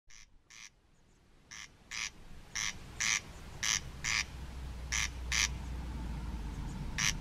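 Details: Well-hidden corn crake near Scurrival Point on Barra, Outer Hebrides, giving its rasping "creck creck": dry, grating double notes repeated steadily about once a second, fairly distant, with a low wind-like rumble.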